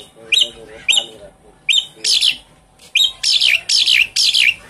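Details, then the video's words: Lure sound of a Javan pied starling (jalak suren), played to get a silent bird singing again: rapid series of sharp, scratchy notes with whistled down-slurs, repeated about twice a second, louder and denser toward the end. "Suara pancingan burung jalak suren macet bunyi"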